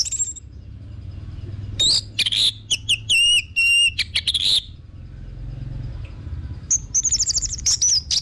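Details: Orange-headed thrush song played as a lure to spur other birds to sing: scattered high whistled notes, then a burst of quick bent whistles and buzzy strokes, and a thin trilled phrase near the end.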